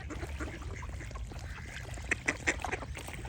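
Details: Scattered soft duck quacks lead into a run of louder, sharper calls near the end, heard against a low ambient rumble and faint chirping birds.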